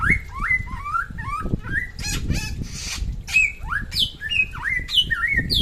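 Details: Samyong from West Nusa Tenggara singing actively: a lively run of clear, whistled upslurred and warbled notes, some bending downward, delivered in quick succession with brief pauses and low rumbling background noise.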